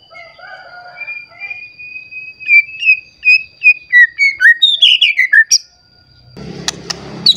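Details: White-rumped shama agitated and seeking a rival, sending out its repertoire to rouse other shamas: soft low warbling, then a rising series of short whistles quickening into downslurred notes, followed by rustling noise.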